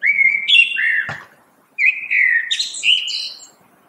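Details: Common blackbird singing two rich fluted phrases, low mellow whistles each ending in higher squeaky twittering notes, with a short pause between.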